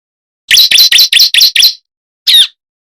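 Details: Bar-winged prinia calling to attract birds, six rapid rasping high-pitched chips in a tight series followed by one separate harsher note after a brief pause.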